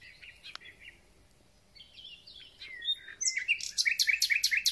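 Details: Spring song of a thrush nightingale: quiet scratchy notes and a short whistle lead into a loud, rapid, rhythmic rattle of repeated clicking notes.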